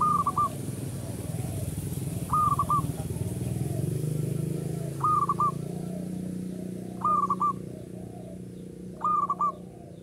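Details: Local Indonesian zebra dove, uraa umum song style, singing actively: five short clipped cooing phrases, one about every two seconds, over a steady roar of engine noise.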